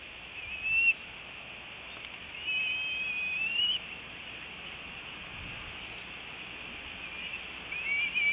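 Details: Bald eagle fledgling returning to its nest on 25 February 2018 at 4:08 PM EST after its first 6.5 hours away, squeeing with excitement as other eagles perch nearby; three brief thin high whistled squeals over steady background hiss.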